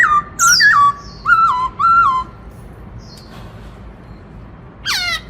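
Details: Black-throated laughingthrush, a kept bird, delivering its loud 'Bắt Cô Trói Cột' song to excite other birds: rich whistled notes, some held level, some dropping, with a high rising note and a final steep downward slur.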